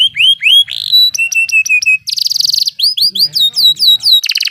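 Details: Canary in rolling ngeroll song, meant to prompt silent canaries to sing: upslurred whistles, a steady trill of short clipped notes, then harsh buzzy rolls alternating with curving whistled phrases, delivered fast and loud.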